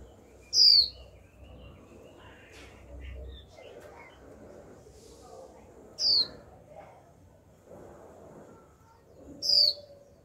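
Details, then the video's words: Young female Japanese white-eye, kept caged, calling 'chíu' to stimulate males to sing: three high, falling whistles spread over ten seconds, with faint low murmuring and soft sounds between them. "Khuyên mái tơ chíu liên tục kích bổi líu ngay!"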